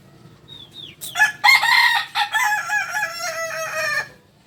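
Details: Native Kukuak Balenggek cock from Solok, West Sumatra: a brief thin whistle, then an extended crow of about three seconds broken into several stepped, wavering segments before cutting off.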